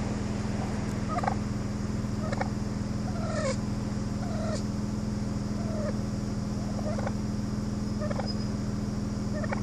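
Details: Assertive wild turkeys on Gardner Road, Brookline, Massachusetts, on 26 August 2013 around 7:38 am give short, downward-slurred clucks and yelps roughly every second during an escape attempt, over a steady low hum of traffic or machinery.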